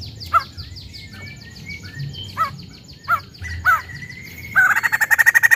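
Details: White-crested laughingthrush from a private collection: several short squeaky call notes spaced about a second apart, then a rapid loud chattering run starts near the end, over a low background hum.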